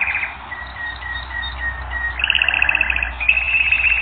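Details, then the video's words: Singing canary on a training record, opening with a short trill, then a run of soft evenly spaced whistled notes, then a bright, rapid, rattling trill at higher pitch. "Canary Training Record N°10"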